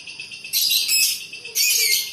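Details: A lovebird's high, harsh chattering in two loud rasping bursts of about a second and half a second, with softer twittering before the first.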